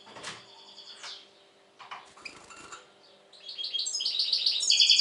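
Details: European goldfinch, described as very tense at the moment. A few scratchy, muffled notes and rustles lead into a quickening run of bright, repeated high twittering that grows louder toward the end.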